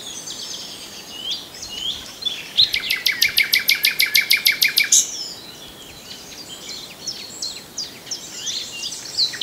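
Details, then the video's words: Common nightingale song: a fast, evenly spaced rattle of about fifteen sharp, loud notes over two seconds, framed by softer varied twitters, with other birds chirping faintly around it. "The best Birdsong movie ever starring the Common Nightingale"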